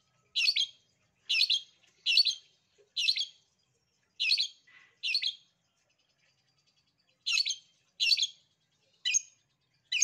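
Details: Long-tailed shrike recorded as a master song meant to make reluctant shrikes answer and sing: short scratchy chirps repeated about once a second in two bursts separated by a two-second pause, otherwise quiet.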